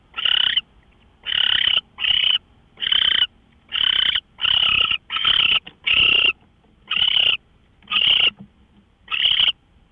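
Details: Owl calling from a live camera before dawn at 5:27 AM on March 24, 2013: harsh, raspy screeches about half a second long, repeated roughly every second in a steady series.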